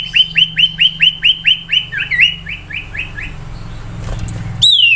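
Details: Common iora, called sirtu or cipoh, in an ocehan-style whistle variation. About twelve crisp hooked whistles repeat roughly twice a second and fade out, then a loud whistle returns after a burst of noise.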